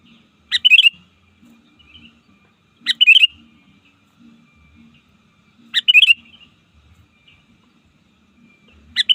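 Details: Trained sooty-headed bulbul used to call opponents in the wild: four brief, bright bubbly phrases, each opening with a sharp note, repeated roughly every three seconds over a faint low hum.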